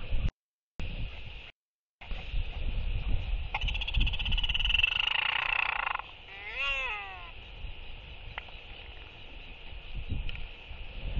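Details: Royal albatrosses displaying to each other in the evening, 23 October 2023, four birds: wind buffets, then a dense clattering rattle for about two seconds followed by a short wavering, braying call, then wind again.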